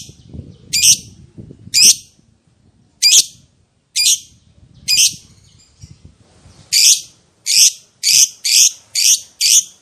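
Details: Lovebird ngekek panjang, long chattering song played to stir other lovebirds into replying: spaced, piercing rasping shrieks over faint low rustling, quickening toward the end into a rapid string of harsh notes.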